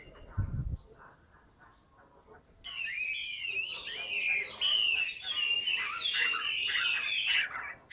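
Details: Tame caged Chinese hwamei: after a low thump and quiet room noise, a loud, sustained burst of tumbling, looping whistles and warbles pours out without pause until the end.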